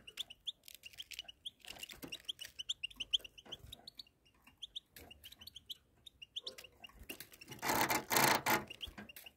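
A goldfinch mule sings a fast, twittering run of bright chirps and trills.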